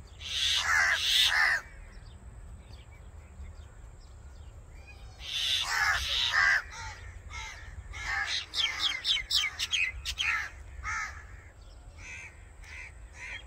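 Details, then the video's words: Common myna: two long bursts of harsh, grating croaks, then a lively stretch of quick varied chirps, clicks and squeaky notes. "Common Myna Bird Song | Common Myna Sound | Common Myna Call | Indian Mynah Sound | Myna Singing"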